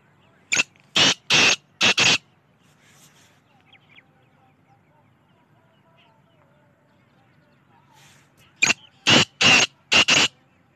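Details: Black francolin repeating its grating call twice, each phrase a run of four or five loud, raspy notes over about a second and a half, separated by roughly six seconds of near silence.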